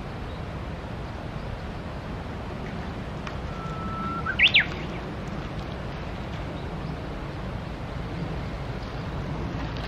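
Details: Japanese bush warbler at the Tsurumi River gives a single song midway: a held, plain whistle, then a sharp, quick, up-and-down flourish. A steady background hiss and low rumble continue throughout.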